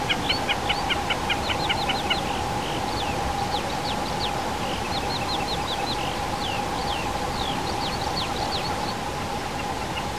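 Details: Common snipe (Gallinago gallinago) on a peat bog at 1420 m in the Krkonoše mountains, Czech Republic, gives quick bursts of sharp, dry, high ticking notes, rhythmic, over a steady low drone and broad background noise.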